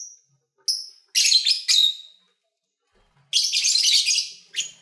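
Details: Lovebirds recorded while eating and having fun; a thin whistled squeak, then clipped harsh chirps, a silent gap, and a long grating chatter ending in a high chip.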